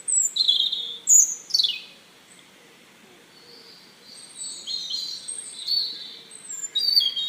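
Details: Bird chirping: a few loud, high whistled notes, one sweeping steeply downward, then a quiet gap before softer, buzzy twittering returns and swells again at the end.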